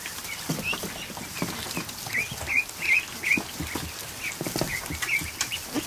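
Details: Newly hatched ducklings, over a hundred of them in a kiddie pool set in a barn, on an afternoon; clear high peeps come in quick runs, roughly two or three a second, over soft clicks and taps.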